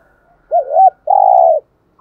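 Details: Spotted dove kept as a decoy, cooing to lure wild doves: one cooing phrase of a wavering two-part note followed by a longer, steady, hoarse coo. The surroundings are quiet.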